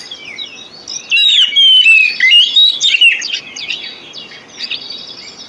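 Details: Song of a white-rumped shama played to draw song from other birds: quiet chirps, then a loud stretch of sweeping whistled phrases and quick notes, tapering to soft calls.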